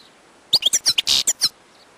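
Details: Short phrase from a wild European goldfinch: about seven quick tinkling chirps with one harsh buzzy note, after half a second of quiet background.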